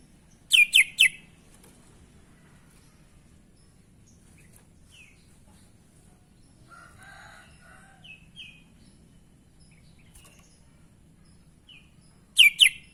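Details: Sooty-headed bulbul giving strange sounds: a quick cluster of sharp whistled notes at the start, soft scattered chirps in between, and another bright cluster about twelve seconds later.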